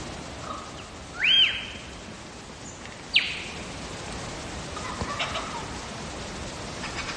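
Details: Wild lyrebird singing in Megalong Valley, Blue Mountains, Australia: a loud whistled note arching up and down, then a sharp snapping note and softer scattered sounds over a hiss of background noise.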